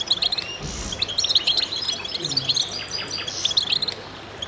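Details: Group of goldfinches in concert, high liquid twitters and chirps tumbling over one another, a few wheezy buzzes among them, and a faint low sound partway through beneath the birdsong.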